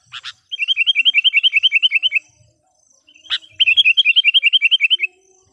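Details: Sooty-headed bulbul kept as a lure for wild birds gives two long bursts of quick, regular bubbling notes, each led by a sharp chip, with brief silence between.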